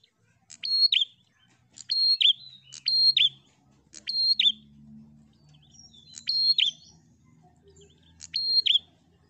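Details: Prinia chattering in fighter style to provoke rival birds: six sharp high whistled phrases with dropping buzzy ends, in irregular bursts over a faint low hum.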